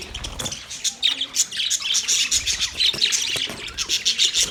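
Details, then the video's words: Flock of Australian budgie parakeets keeping up a busy chatter of rapid high chirps and warbles, many birds calling over one another without pause. "Budgies Parakeet Birds Chirping sounds Big sound of Australian Budgies parrot"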